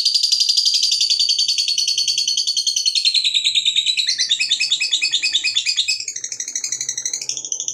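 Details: Long ngekek song of a lovebird fighter, meant to trigger other lovebirds into song: an unbroken, fast shrill chatter for nearly eight seconds, smooth at first, then breaking into pulsing squeaky notes with a faint low hum behind.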